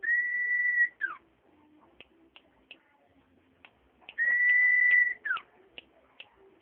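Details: Common iora singing: a long, steady, pure whistle about a second long ends in a quick downward slur. The phrase repeats after a few seconds, with scattered sharp clicks and ticks between.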